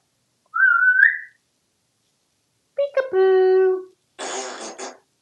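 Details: Talkative male African grey parrot living as a pet in a Texas home: one rising whistle, then a nasal harmonic voice-like note, followed by a breathy spluttering raspberry sound.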